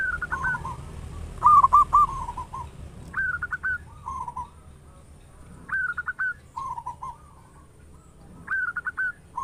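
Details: Local zebra doves with loud, big voices, used to quickly stimulate other doves to sing: bubbly cooing phrases near one kilohertz, a higher stuttered triple-note opening followed by lower rolling coos, repeated every two to three seconds.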